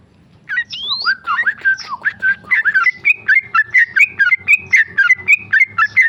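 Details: A tame male sooty-headed bulbul starts after a short quiet moment, giving a few long swooping whistles, then settles into the quick, evenly paced 'ropel' series of short looping whistled notes.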